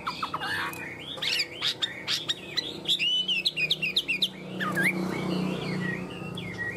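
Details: A tame caged Chinese Hwamei, held close to the camera, sings a rich, varied stream of loud whistled phrases, fluty slurs and sharp chirps in quick bursts, over a low indoor hum.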